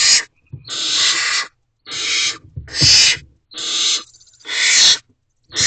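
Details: Barn owl nest box at 8:34 pm on 30 April 2023, male delivering food and quickly leaving: loud, harsh, hissing screeches about a second long, repeated five times with short silent gaps, soft thuds beneath.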